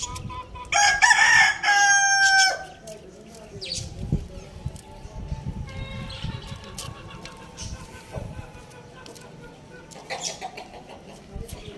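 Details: A rooster crowing in the morning gives one loud, harsh crow lasting about two seconds, rising then holding and breaking off; quieter clucks and background noise follow.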